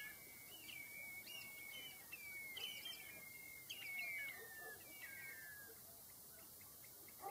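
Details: Common redshank calling: a busy run of clear, whistled piping notes, several sliding downward, overlapping one another over a steady high hum, with faint outdoor background.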